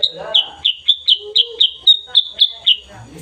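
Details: Morning chirping of a black-and-yellow sooty-headed bulbul, recorded 16 September 2021: about ten bright, high, down-slurred notes in a fast, fairly steady run, with a brief murmur of a voice at the start and end.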